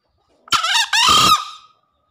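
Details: Green junglefowl lure call, meant to prompt newly caught or silent birds: one loud two-part crow, a short harsh note followed by a longer, slightly falling, hoarse note.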